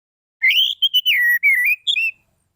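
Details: Orange-headed thrush song used as a lure to provoke silent birds into singing: a rich, whistled phrase of slurred notes, rising then gliding down and level, with brief breaks between elements, on a clean quiet background.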